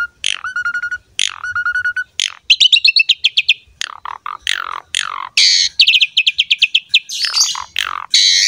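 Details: Asian pied starling song used to encourage other starlings to sing: two held whistles with harmonics, then long strings of rapid repeated chirps and harsh buzzy notes.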